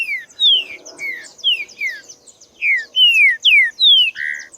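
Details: Song of a wild green-winged saltator: bright whistled notes sliding downward, given in a rapid, uneven series, ending on a lower, fuller note, with a high steady buzz behind.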